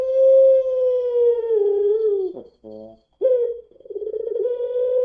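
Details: Puter pelung dove, a long-voiced variety, singing as a lure for other doves. One very long level coo slowly falls, then a brief rough break and silence, then another drawn-out wavering coo.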